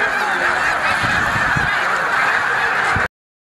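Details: Some 90,000 snow geese roosting on the lake at Middle Creek Wildlife Management Area, Pennsylvania, on 22 February 2020 during migration, in a continuous roar of overlapping, nasal honks and barks, dense and unbroken.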